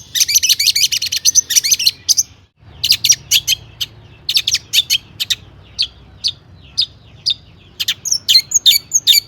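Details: Long-tailed shrike delivering a varied song of mimicked phrases, meant to stir other shrikes into singing: a harsh chattering burst, a short silence, then spaced, clipped high chirps in steady series.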